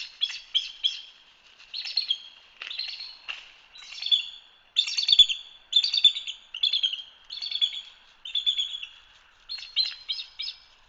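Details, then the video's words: Bald eagle at a Hanover, Pennsylvania live camera giving a long run of high, squealing chatter: about a dozen short staccato bursts in quick succession, some doubled or tripled, loudest near the middle. "The sound of 🫢……😮…😯eagle chatter"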